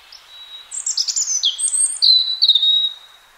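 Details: Clear spring song from a wild European robin: a soft lead-in note, then a fast tumbling run of high, thin warbles and sliding whistles, ending in a long held tone.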